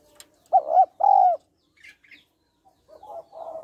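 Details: Female spotted dove calling to stir up males: two loud, low, hollow coos in quick succession, each swelling and dipping, followed by softer, broken cooing near the end and a few faint high chirps.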